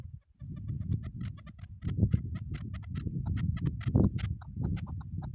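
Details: Chukar partridge kept for hunting, giving repeated harsh chuck notes at an irregular pace, set against dense low rumbling noise that nearly covers the calls.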